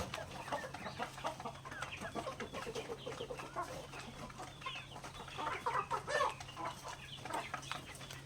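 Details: Backyard native chickens feeding on grains: steady overlapping clucks and short rising chirps, busier and louder after five seconds, over a constant low hum.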